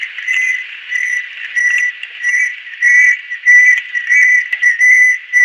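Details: Adult female banded kingfisher giving quick whistled notes in a fast run, a bit under two per second, over a soft hissing background.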